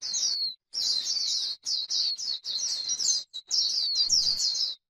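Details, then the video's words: White-eye singing in the 'líu' style on grassland, a high, rapid, jumbled twittering in bursts of about a second separated by short gaps. "KÍCH KHUYÊN LÍU CHUẨN chim khuyên trên đồng cỏ white eye bird"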